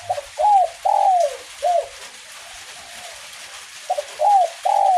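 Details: In light drizzle a kuk 1 spotted dove gives a complete cooing phrase, stuttered start, mellow coos and a long falling note, then begins another after a pause, with continuous rain hiss behind.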